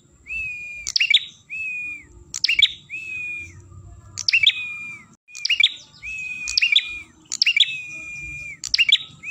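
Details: Ashy tailorbird song recorded for luring birds: long, level whistled notes alternate with bursts of sharp, high chirps, the pattern repeating roughly every one and a half seconds with faint low background rumble.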